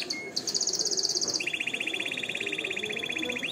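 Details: Canary song used as training for young singers and to stimulate females to mate: a brief whistle, then a long fast high rolling trill dropping to a lower, equally rapid pulsed roll.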